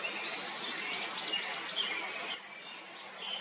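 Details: Grey wagtail calling: after two seconds of softer warbling from other birds, a quick run of seven sharp, very high, clipped notes in about 0.7 seconds, over steady rushing background noise.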